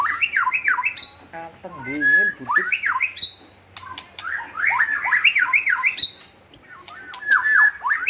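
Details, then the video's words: Energetic white-rumped shama pours out rapid looping whistles, wavering warbled notes, buzzy chatter and piercing high squeaks in dense, nearly continuous phrases with only short gaps. "Burung murai yg gacor lear leor"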